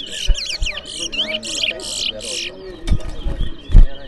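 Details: Twa-twa singing in a bird race at New Amsterdam, Berbice, Guyana: quick buzzy phrases with twisting whistled notes for about two and a half seconds, followed by crowd voices and knocks.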